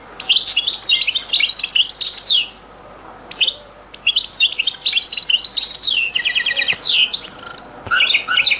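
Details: A very old recording of European goldfinch song in the Beni Messous 'les avocats' (zaboka) style: dense, fast runs of bright, high chirps and rattling trills, with brief breaks between phrases.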